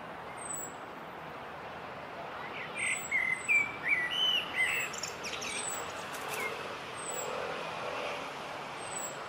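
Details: Common blackbird singing in a treetop near the end of its singing season: one short, mellow warbling phrase of about two seconds with thin high squeaky notes, over steady distant traffic hum.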